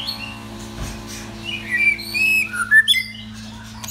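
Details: Pet male white-rumped shama in a cage indoors gives a few clear whistled notes and short slurred phrases after a quiet start, with a constant low mains hum underneath.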